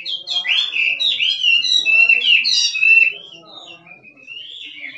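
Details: A wild Chinese hwamei gives its 'kích trống' song of loud, looping whistles and rapid trills for three seconds. It then drops to softer, drawn-out rising whistles.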